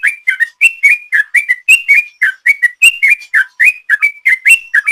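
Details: Sooty-headed bulbul singing a long ropel song used as a lure: continuous run of clear whistled notes, each a quick rising or falling slur, delivered about three to four per second without pause; no other sounds.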